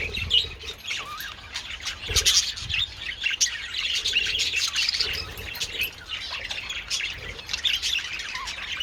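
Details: Several budgerigars in the sun with treats on 27th February, a steady warbling chatter of chirps and squeaks, with occasional low knocks.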